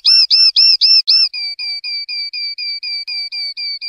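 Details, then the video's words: Common linnet, clean 'pardillo limpio' song style from a 2025/2026 song CD: five loud hooked notes at about four per second, then a steady run of softer, flatter whistled notes repeated at the same pace; no other sounds. "PARDILLO LIMPIO"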